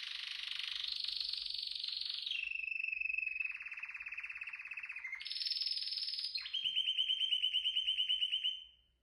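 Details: A canary sings a chain of rapid trills, each held for one to three seconds at a different pitch. A high rolling trill drops to a lower one, jumps up again, then ends in a loud, pulsing lower trill.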